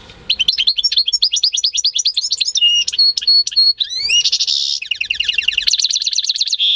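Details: Home-bred European goldfinch × canary hybrid in full song, May 2015: fast, bright, high chirps run into slurred rising and falling whistles, then a buzzy rattling trill and rapid repeated notes, loud and continuous.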